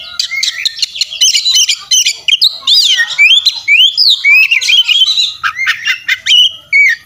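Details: Oriental magpie-robin singing in fighting mode, fiercely puffed up, in a tutor recording full of fill-in phrases: a dense run of varied whistled and buzzy phrases, rising and falling sweeps and sharp clicks, delivered rapidly and loudly.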